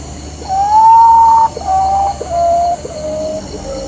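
Common potoo giving a slow, mournful run of five whistled notes, each a step lower than the last, over about three seconds; faint steady hiss behind.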